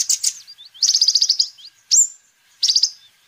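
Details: Sunbird song used as a lure and tutor for other birds: rapid buzzy trills of high chipping notes, sharp upward-sweeping whistles and short thin slurred notes, in bursts with brief gaps.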